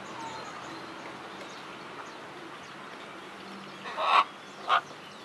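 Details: Macaw at Hamura City Zoo in Tokyo, Japan, recorded on 14 April 2011: two loud, harsh, rasping squawks close together near the end, over a steady murmur of background crowd noise.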